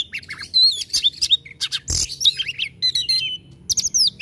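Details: White-rumped shama delivering dense 'tembakan' song, fast overlapping whistles and scratchy notes, with a loud thump or knock near the middle.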